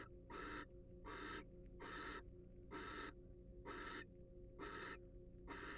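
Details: Wild barn owl recorded by a nest box camera used for research and conservation: seven brief, harsh hissing screeches at a steady pace of about one per second, low hum beneath.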